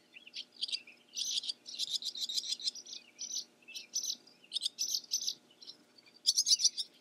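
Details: A barn swallow (Hirundo rustica) gives continuous chattering twitter, high and scratchy, in repeated short phrases over a faint low background hum.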